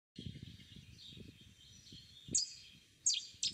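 Cetti's warbler bursts out with sudden loud, ringing notes near the end, three explosive phrases in about a second, after a stretch of soft background rustle.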